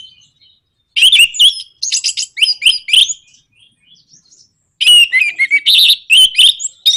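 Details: Orange-headed thrush in energetic song meant to provoke other birds: two loud bursts of fast, varied chattering, scratchy notes and short whistles, separated by a quiet gap with faint notes.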